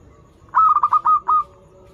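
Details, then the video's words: Melodious local zebra dove, used to lure doves still learning to sing, gives a single phrase of three quick stuttered coos followed by two longer, drawn-out mellow notes. "PERKUTUT LOKAL GACOR Suara Merdu"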